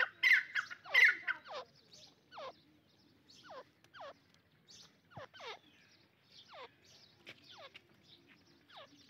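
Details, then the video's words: Partridges fighting. Two loud harsh bursts open, followed by a steady series of quieter, sharply descending calls spaced about one second apart. "dakni teeter ki jung"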